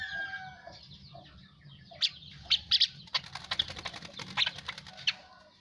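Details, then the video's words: Asian pied starling song after a bath, opening with thin whistled notes, then a lively run of dry clicks and snapping high notes over a faint background hum. "Jalak uren habis mandi"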